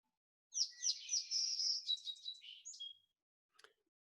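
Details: Song Sparrow in summer in the Yampa Valley, Steamboat area, sings a bright, varied run of sweet notes and buzzy trills lasting about two and a half seconds, ending on a clear tone; a faint click follows.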